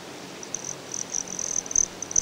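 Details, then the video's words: High, thin chips and short buzzy notes from a broad-tailed hummingbird at Great Sand Dunes in Colorado, coming in quick irregular bursts that grow louder toward the end. "Broad-tailed Hummingbird"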